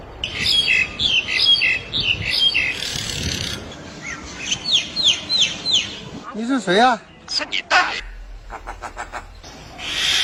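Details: Bird song recorded May 5, 2023: bursts of high, quick descending chirps repeated in groups, followed by lower arched notes and rapid clicking, with rustling noise underneath.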